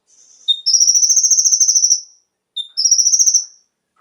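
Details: Konin song meant to stimulate captive birds to sing fully; a short clear note then a long, evenly pulsed high trill, repeated once more after a pause, clean recording.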